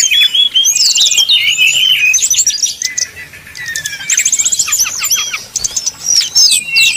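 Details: Brown-chested jungle flycatcher in flute-like 'nyuling' song, used to provoke rival birds into singing; high whistled phrases mixed with rapid buzzy trills and fast rising and falling slurs, delivered in dense overlapping bursts with a brief quieter gap midway.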